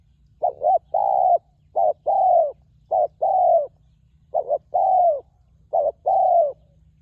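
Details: Wild spotted dove at a ground decoy site, praised for fine phrasing and a very resonant voice. Five low cooing phrases, each two short clipped coos followed by a long drawn, slightly falling coo, roughly every 1.3 seconds, over a faint steady low hum.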